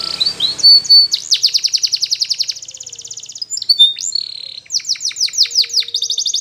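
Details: Training song of a Spanish Timbrado canary: a long run of fast, evenly pulsed trills, a short whistled phrase, then repeated downward-sweeping notes in quick succession.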